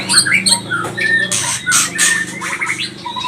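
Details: Short burst of agitated white-rumped shama (murai batu pastol) song, used to goad other birds: bright whistles alternating with harsh rasping bursts, then quick warbled notes, low hum behind.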